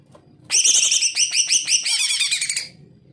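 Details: Greater green leafbird singing energetically, used as a tutor for reluctant singers: a rich, tumbling warble of mixed chattering and whistled notes, fast and varied, lasting about two seconds.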